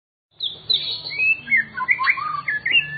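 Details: White-rumped shama from a private collection, a kept bird, singing a rich varied phrase of clear whistled notes, sweeping slurs and quick rising and falling flourishes, with a low steady hum underneath.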